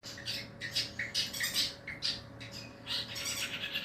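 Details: Long-tailed shrike (cendet) during a mental test: harsh, scratchy bursts of chattering notes repeated rapidly at about two per second, some squawky, over a faint steady low hum indoors.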